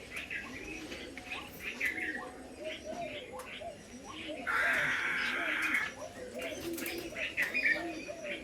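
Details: Pigeons on the roof of an old house give low, rounded coos repeated about once a second. Harsh cawing calls, scattered chirps and a burst of rushing noise come from the surroundings.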